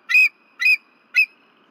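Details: Disturbed at night on February 15, 2023, a female bald eagle at the Berry College nest camera gives three loud, high, squealing whistles at half-second intervals while waiting for her mate.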